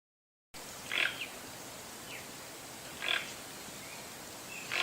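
A toucan gives harsh, rasping croaks, one roughly every two seconds, with faint softer notes between them over a steady background hiss.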